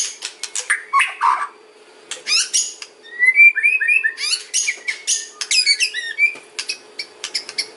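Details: Lure song of a white-rumped shama with sharp clicks, high chirps and a quick run of rising whistled notes, varied and rapidly delivered.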